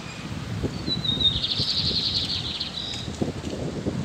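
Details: Ultramarine grosbeak giving a short, fainter song: a thin rising note, then a sustained buzzy warble and a final high note over steady background hiss and low rumble.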